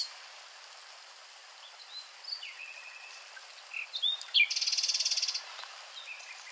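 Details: Nightingale singing quietly at first with thin isolated whistles, then a few sharp upswept notes leading into a long, even, rapid rattle of high pulses, tailing off into soft scattered notes.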